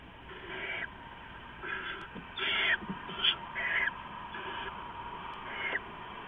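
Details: Adult owl feeding rats to owlets at a nest around 4:30 AM, 15 November 2015; a series of harsh, breathy screeches at irregular intervals, some louder and rougher in the middle, with faint clicks.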